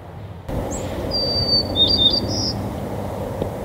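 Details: A White-crowned Sparrow at Woodlawn Cemetery on 25 November 2020 sings one high, clear whistle, then a second-long jumble of buzzy, warbled notes over a low rumble of distant traffic.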